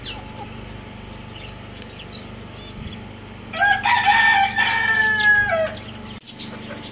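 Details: Young roosters playing on a roof; after several seconds of steady low hum, one gives a single hoarse, drawn-out crow lasting about two seconds that wavers and then breaks off, with the background hum continuing throughout.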